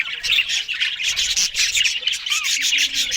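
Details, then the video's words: Australian budgerigars at a morning feed of green food, with lively twittering and squawky chatter from several birds, short rising squeaks poking out of a constant scratchy warble. "Australian Budgies morning Eating Green Food"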